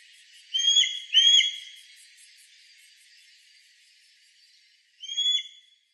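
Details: Mountain hawk-eagle calling in Shirataka, Yamagata Prefecture, Japan, on 27 September 2017: a pair of ringing whistled notes in quick succession, then a long pause before a single shorter whistle, with faint high ticking and steady hiss behind.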